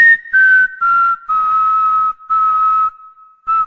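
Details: Cockatiel whistling a line of the Corinthians anthem: a few long, steady whistled notes sliding slightly lower in pitch, separated by short gaps, each with a faint raspy overtone, and no other sounds.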